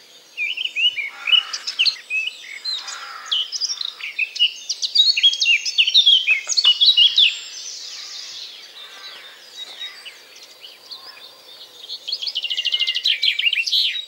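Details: During the spring dawn chorus at an ash tree on a field edge in British countryside, a male blackcap pours out a rich, fast, fluty warble of varied high notes, then fades, before another bird's dry, rapid trill.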